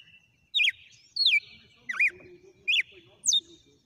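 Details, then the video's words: Wild red-cowled cardinal singing a 'sequência de açoites' (whip sequence): five loud, clear whistled phrases, each a sharp downward-slurred note, spaced roughly every 0.6 seconds against a quiet background. "O CANTO SELVAGEM DO GALO DE CAMPINA - SEQUÊNCIA DE AÇOITES"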